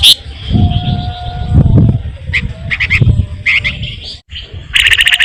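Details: Flamboyan in full song, used as a lure for songbirds: short clipped chirps in small clusters, a brief pause, then a loud, rapid run of sharp trilled notes, with steady low background noise.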